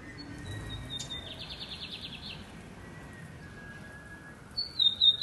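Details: A lined seedeater sings loudly and deeply, giving a high whistle that runs into a fast buzzy trill of about ten pulses. After a pause come sharp, loud whistled notes that step downward, over a faint low rumble.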